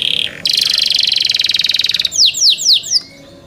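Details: Song of young kept canaries: a sustained, fast pulsing buzzy trill of about one and a half seconds, ending in four loud, well-spaced downslurred whistles.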